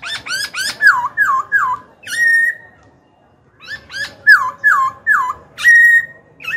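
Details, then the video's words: Black-throated laughingthrush, a kept bird, singing to provoke rival birds into fighting and to train young birds' voices. Loud, rich whistled notes come in quick phrases of falling and rising slurs, in two bursts split by a brief silent pause. "KHiếu tơ hót dìu bổi cực hay. Khiếu hót hay kích bổi đấu, luyện giọng bổi, chim non."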